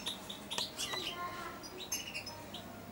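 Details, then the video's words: Caged four-month-old European goldfinch practising subsong near a feeding hand: short sequence of thin whistled notes and quick high chirps, some held briefly, over soft background hiss. "καρδερινούλα κελαηδάει δίπλα στο χέρι αλλά και πάνω σε αυτό!"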